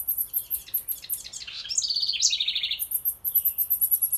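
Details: A wren near a birdhouse, with a quick, bright trill that steps downward in the middle of the clip. Rapid, very high chirps repeat before and after it.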